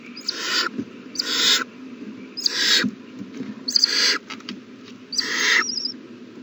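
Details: Owl chicks eating well, 27 March 2020, beg with five loud, raspy, hiss-like screeches at roughly one-second intervals, and a faint high trill after the last one, over a constant low hum.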